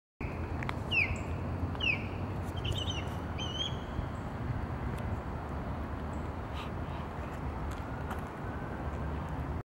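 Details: Osprey calling on 30 March 2023, a short run of thin, high, down-slurred whistled chirps repeated about once a second, then fading, against steady low rumbling background noise.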